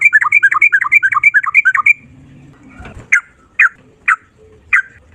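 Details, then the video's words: Sooty-headed bulbul, kept bird, in rolling song: a two-second run of quick alternating high-low whistled notes, then four separate sharp chirps spaced about half a second apart. "Burung trucukan gacor ropel 1 nafas panjang"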